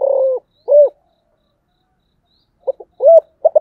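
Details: Low falling coo from a spotted dove calling in giọng thổ voice, followed by an arched note. After a long silence come a few clipped notes, another arched coo and the start of a new phrase.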